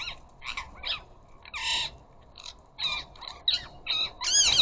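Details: Garden bird feeder visited by a flock of ring-necked parakeets: irregular harsh squawks and nasal chatter, one broad raspy screech midway, ending with a run of louder wavering screeches.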